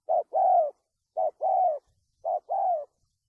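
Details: Spotted dove used as a trapping decoy, giving a stuttering coo style: three clean phrases, each a short low coo followed by a longer falling coo, spaced about a second apart in silence.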